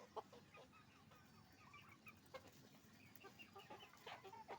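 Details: Chicken farm with roosters and hens: scattered, fairly faint clucks and brief squawks from several birds, sparse at first and then busier, above a steady low background rumble.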